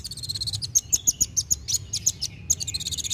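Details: Kolibri wulung sunbird singing steadily with rapid delivery, used to stimulate young birds to sing: a quick series of sharp, very high chipping notes, about two per second, with a low rumble underneath.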